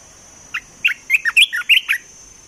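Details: Olive-winged bulbul kept in a cage as a trapping decoy sings one quick phrase of about eight liquid, up-and-down whistled notes, slightly rising toward the end, against a quiet background.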